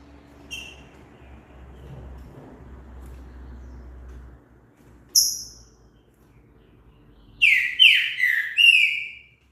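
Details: Green-winged saltator singing, used to encourage a bird to sing: a few isolated sharp notes, then near the end a rich whistled phrase of several downward-slurred notes.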